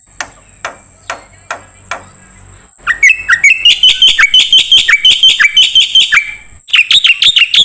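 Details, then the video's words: Songbird training recording of a black-winged myna: a few soft clicks, then a rising run of rapid chattering notes becoming loud and harsh, a brief pause, and another chattering burst. "MASTERAN KICAU Jalak Putih"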